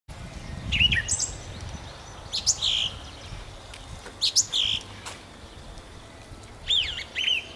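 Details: Nightingale singing at Nosivka on 1 June 2014: scattered phrases of sharp whistles, clicks and buzzy high notes separated by short pauses, over low rumbling background noise.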